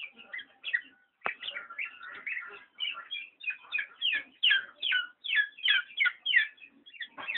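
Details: Black-naped oriole delivering a long, busy stream of sharp, slurred chirps, roughly three per second and uneven in rhythm, with one loud click near the start.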